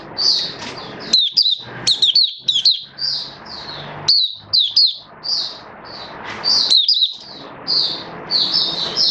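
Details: Hobby oriental white-eye (mata puteh) in build-up form performing a continuous stream of high, fast chirps and sliding whistles in 'buka' style, with a light constant background hiss.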